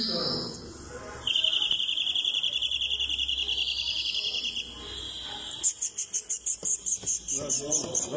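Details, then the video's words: European greenfinch song: a long, nasal, buzzing wheeze held steady for over three seconds, followed by a bright, rapid, rhythmic trill of high notes, with softer twittering at the start. "Greenfinch Song"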